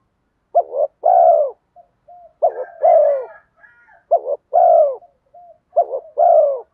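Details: Spotted dove giving a 'giọng đồng' voice mixed with urging 'thúc' coos, used to draw wild doves in quickly. Paired coos, a short clipped note then a longer falling mellow coo, about every 1.7 seconds, with soft faint notes between.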